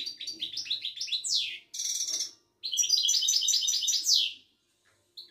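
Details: Goldfinch of the Moroccan Widani type delivering fast chattering song, bubbling twitter phrases each closing in a downward-swept note, one nasal buzz in between, then a short pause.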